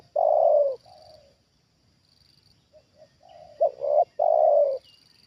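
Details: Trained spotted dove calling while a wild bird is brought down a second time: a long loud falling coo, a soft trailing note, quiet murmurs, then a sharp double note and another long drawn coo.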